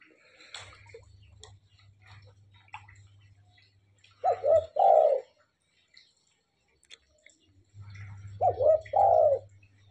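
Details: Frequently singing, tame spotted dove coos twice, about four seconds apart. Each phrase is a short low note leading into a longer husky coo, over scattered clicks and a low humming background.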